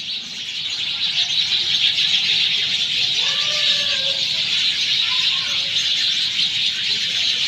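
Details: After monsoon rain in Sanghar, Sindh, a crowd of sparrows keeps up rapid overlapping high chirping, while a few faint lower whistled notes from another bird come through in the middle.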